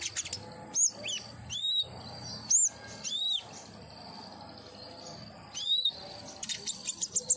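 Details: Common iora song used as therapy to get a captive bird singing: a series of clear, arched, slurred whistles spaced about a second apart, some very high, with a burst of short sharp chirps at the end.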